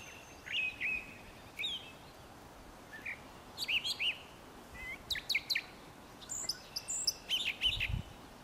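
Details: Brown thrasher giving a beautiful, complex vocal display: short varied phrases of sharp chirps, slurred whistles and clicks in quick clusters, growing busier toward the end, with a low thump near the close.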